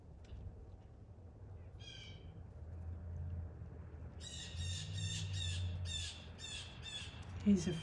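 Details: Blue Jays at a backyard feeder on a snowy Christmas Eve morning give harsh, raspy screams, which the observer says warn of a predator: one early call, then a rapid burst of about six in the last seconds, over a man talking and a low rumble.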